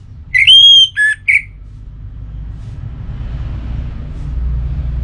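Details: Single pacing-style phrase from a kept orange-headed thrush: one long, pure, level whistle followed by two short clipped notes, then quiet with only a low steady hum.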